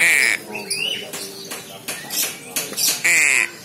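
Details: Young crow chick, described as very clever, giving two loud, harsh, drawn-out squawks at the start and end, with fainter rasping notes between.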